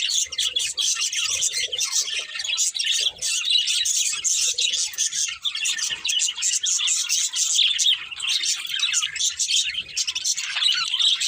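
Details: Continuous dense warbling chatter of several budgies indoors: countless tiny high chirps and twitters blending into an unbroken bright texture for the whole stretch.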